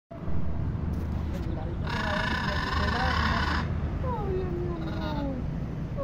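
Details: A free-flying macaw in Venezuela, one of several visiting a home, gives one harsh, raspy squawk lasting nearly two seconds, then softer falling calls, over steady low rumbling background noise.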